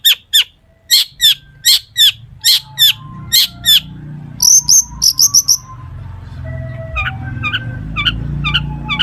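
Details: Long-tailed shrike singing to prompt rivals: regular loud rising squeaks about every half second, a quick high trill, then soft whistled notes with rising squeaks.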